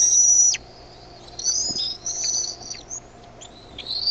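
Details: Eaglets of bald eagles at Decorah, evening of 13 May 2015, calling as a parent brings food to the nest; a long high whistle followed by softer wavering squeals and a final rising note.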